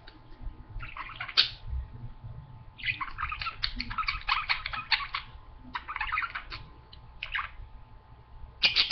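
A budgerigar warbles in rapid bursts of chattering, scratchy notes with short clicks between them.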